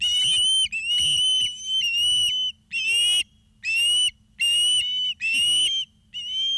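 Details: Osprey at Charlo, Montana, on 2 September 2023 in the afternoon, from a live camera: loud, shrill whistled calls with a harsh edge, given in bursts a little more than once a second, with short gaps between them.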